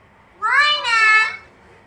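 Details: A talking common hill myna (Gracula religiosa) utters one short two-part speech-like word, likely "baba", a rising nasal syllable then a longer bright one, about a second long, in a quiet room.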